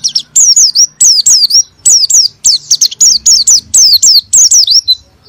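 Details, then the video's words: Oriental white-eye singing a lure song meant to rouse lazy white-eyes into ngalas and nembak singing. Bright, high phrases of quick falling-and-rising whistled notes, delivered in bursts about every half second, with a faint low hum behind. "PANCINGAN PLECI MALAS BUNYI BIAR BISA GACOR NGALAS & NEMBAK"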